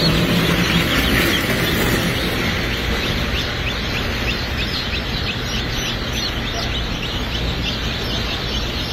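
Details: Salmon Faverolles chicks hatching at a hatchery in May: many short, high peeps repeated rapidly and overlapping in a continuous chorus, over a steady broadband hum.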